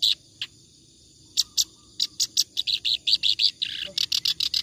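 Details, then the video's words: Clamorous reed warbler in ngacor song, suitable as a tutor for other songbirds: a few scattered harsh notes, then a quickening stream of loud, grating chattering syllables that runs to the end. "BURUNG KERAK BASI NGACOR COCOK BUAT MASTERAN"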